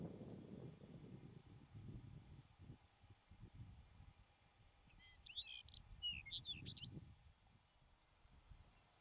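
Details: A Lapland Longspur (Lapland Bunting) in the Filefjellet mountain highlands of Norway in the first week of July sings a brief, high, jingling warble of quick varied notes under two seconds, over steady low wind rumble.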